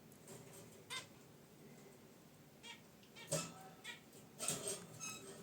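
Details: Zebra finches kept as pets, relaxing in a cage by a wicker basket nest. Separate short honking chirps, bright and harmonic, come roughly every second or so against faint room noise, with slight rustling.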